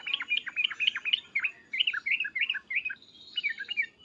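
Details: Sooty-headed bulbul in an excited state, calling loud 'cuk-cuk' and 'uplik-uplik' to prompt others to respond: clear, bouncy, downslurred notes in quick groups, then a brief pause and a few more.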